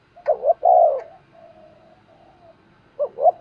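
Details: Spotted dove calling to provoke wild doves during decoy training; one full phrase of two short coos and a long throaty note, a soft low hum of coos, then the next phrase beginning.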